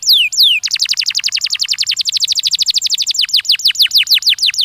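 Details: Canary singing, meant to encourage young canaries to start singing: two long descending whistles followed by a very fast, steady run of repeated downward notes, slowing into separate sweeps.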